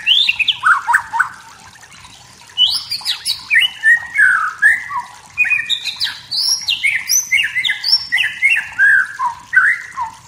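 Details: Forest-dwelling wild white-rumped shama singing to provoke rivals, a long varied sequence of loud whistled notes, upslurs and downslurs jumping between low and very high pitches, after a brief pause near the start.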